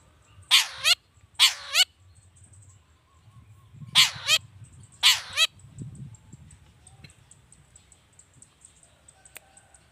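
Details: Long-tailed shrike, lure recording to provoke other shrikes; two pairs of loud rasping, harsh notes, each note under half a second, followed by quiet with low background rumble.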